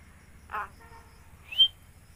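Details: Common myna kept as a talking bird in Bangladesh, one brief raspy note, then after a pause a single sharp rising whistle.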